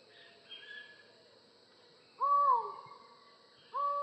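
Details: Collared forest falcon giving two loud, mournful, hooting 'ow' notes, each arching up then sliding down, about one and a half seconds apart, with faint distant bird notes between them.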